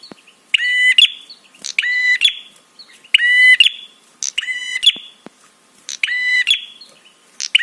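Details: Six buzzy, rasping prinia notes, each about half a second long, come roughly every 1.2 seconds, with soft clicks and ticks between them. The call is used to make other birds respond and to excite them.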